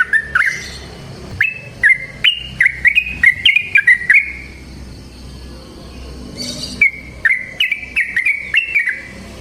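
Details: Wild yellow-vented bulbul (trucukan) singing vigorously in a long rapid 'ropel panjang' style, recorded in the forest. Quick bubbling notes near one pitch, fast runs in two bursts separated by a brief quiet spell.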